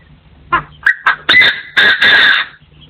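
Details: Partridge crowing in 2024, recorded in a forest setting: a short rough note, then a run of harsh, rasping bursts that lengthen into a final drawn-out grating call, over a faint low hum.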